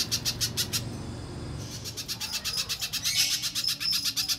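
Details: Little spiderhunter, played to lure other spiderhunters into singing. High, sharp chips repeat quickly, break off briefly after the first second, then resume in an uneven, quicker run over low background rumble.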